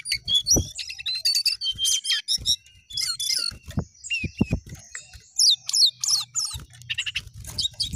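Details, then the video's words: Jongkangan in lively song with rising and falling phrases, delivered as dense bursts of high chirps, trills and sharp whistled notes that come in quick succession, broken by short pauses and occasional low thumps. "Jongkangan Gacor Naik Turun Oke"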